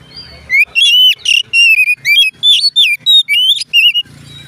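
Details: Oriental magpie-robin singing a fast, loud run of clear whistled phrases. Notes swoop up and down and slur between them, with brief gaps between phrases. A low hum lies underneath at the start and end.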